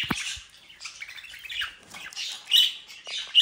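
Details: Captive budgerigars bred at home in the Den Haag region, Netherlands: steady buzzy warbling chatter, building into louder squeaks toward the end, with a tap at the start.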